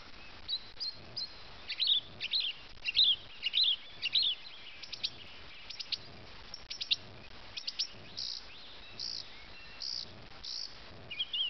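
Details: Wild bird singing in Abel Tasman, New Zealand, a varied song that goes on for minutes: quick high warbled phrases, short bell-like notes and clicks in bursts every second or so, over soft steady background noise.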